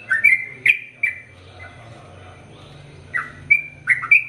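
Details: Sooty-headed bulbul singing bursts of quick falling whistled notes, then a pause of about two seconds with a low steady hum behind, before more short chirping notes resume.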